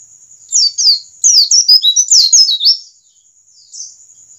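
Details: High white-eye twittering from a standard wild-type bird, played to make birds start singing: quick paired chirps lead into a dense, jumbled run of falling and warbling notes, then a single soft chirp after a pause.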